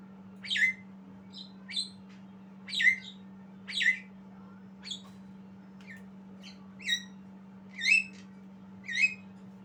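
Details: Young Javan myna rehearsing its song with a string of about a dozen harsh, chirping squawks, some louder, some faint and thin, with falling endings, under a low constant hum.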